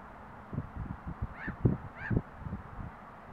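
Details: Great crested grebe in Estonia giving two harsh, nasal, croaking notes about half a second apart, over a steady low rumble and soft knocking sounds.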